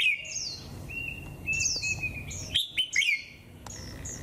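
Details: Japanese white-eye singing in the 'họa kép' style with 'líu thung' phrases on a cold 11 °C day: thin, high whistled notes sliding up and down, with quick twittering bursts in close succession and faint background hiss.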